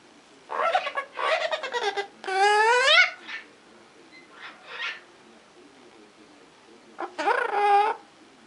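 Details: Green-cheeked amazon parrot giving a series of harsh, harmonic squawks in bursts, including a long rising-then-falling call, two quieter calls, then one more squawk after a pause of about two seconds.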